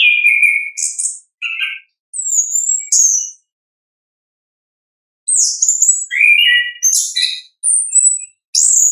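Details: Orange-headed thrush song from the wild, offered as a lure for learning birds: varied whistled phrases, some low and slurred, others high and thin, delivered in quick bursts with a silent gap midway.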